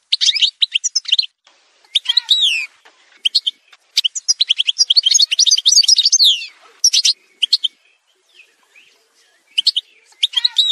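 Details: Algerian goldfinch, parva subspecies, singing in an edited montage: long bouts of rapid tinkling twitter, buzzy trills and descending whistles, with a quieter lull before a final burst.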